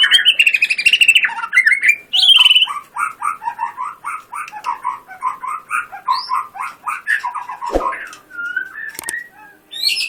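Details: White-rumped shama in competition 'gacor' form: rising whistled opening notes, then a long, evenly pulsed series of rich, bubbling warbled notes, closing with a few thin high whistles.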